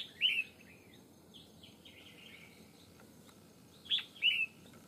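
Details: Red-whiskered bulbul, a wild bird drawn to a fighting trap, singing short bright warbled phrases, two loud slurred bursts at the start and two more near the end, with a quiet hissing background between them.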